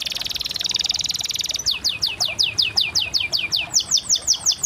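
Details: Canary singing: opens with a dense, buzzy high trill, then shifts into a steady series of quick descending chirps repeated in a rhythmic run.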